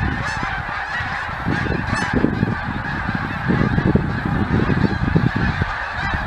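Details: A huge flock of geese on their yearly stopover, a massed chorus of honks with some louder individual calls standing out, over strong low-pitched rumbling, possibly wind or handling noise.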